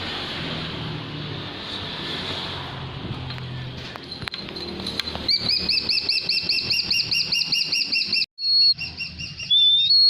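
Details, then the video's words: Golden eagle: after several seconds of soft background noise, a fast run of high whistled chips starts, each note arched in pitch, then a brief silence and a couple of thin, clean whistles. "Sounds Of Golden Eagles"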